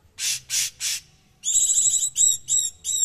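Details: Cucak cungkok, prized as a song tutor for its harsh, close-packed voice. Three loud hoarse rasps lead into a long vibrating buzzy whistle, then a series of short rattling notes.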